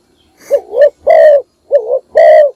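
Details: Close, loud spotted dove decoy calling in the morning to draw other doves: two phrases, each a wavering short coo rising into a longer, flat, buzzy coo, slightly distorted.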